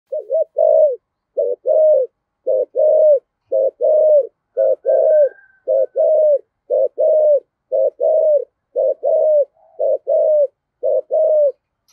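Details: Spotted dove cooing in the prized 'giọng thổ' voice style: a long run of low, hollow, mid-pitched coos in short grouped phrases, paired notes following each other steadily about once a second, with a faint higher whistle partway through, otherwise quiet.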